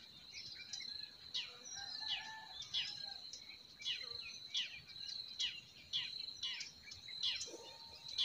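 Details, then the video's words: Spring forest birds in chorus: many short, high chirps and quick descending notes repeated throughout, with a steady shrill tone behind them. "Relaxing Singing of Forest Birds"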